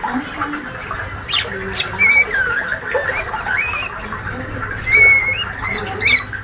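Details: White-rumped shama, a young speckled male said to be healthy and a fighter, in ngriwik twittering: scattered squeaky notes with two clear drawn-out whistles near two and five seconds, low hum in the background.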